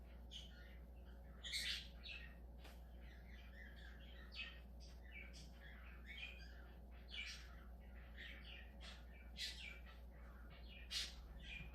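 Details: Budgerigar chattering steadily: a long stream of scratchy warbles, clicks and occasional sharp squeaks over a constant low hum.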